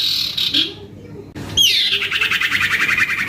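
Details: Noisy young male common iora: a buzzy trill fading out, a brief pause, then a sharp high note dropping into a fast, rhythmic pulsing trill that slowly descends in pitch.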